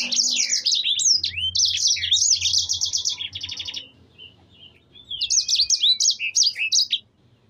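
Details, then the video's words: Yellow-fronted canary (Mozambique) in full song sings a long, fast, high, tumbling warble of rolled trills and quick slurred notes, pausing briefly before resuming over a low hum. "suara burung sanger gacor"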